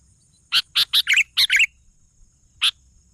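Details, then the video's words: Sooty-headed bulbul giving a quick run of six bright, bubbly notes, a few slurred and chattering, then a pause and one final note. "suara burung kutilang gacor"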